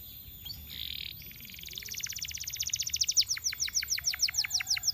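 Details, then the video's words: Canary heard over a hissy background: a buzzy phrase, then a trill of repeated high notes that grows steadily louder and slows into distinct down-slurred whistles. "Canaries seduce friends to sing! very effective"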